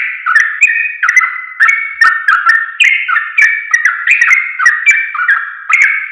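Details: A sooty-headed bulbul (trucuk) sings in a recording meant for teaching caged birds. Its lively, tumbling whistles slur downward, roughly three notes a second, in a continuous ripple with sharp ticks between them.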